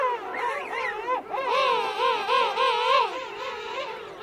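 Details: King penguin adults calling close up in a colony of adults and chicks at Right Whale Bay; loud trumpeting, wavering calls with rippling pitch repeated in quick undulating pulses, overlapping callers behind.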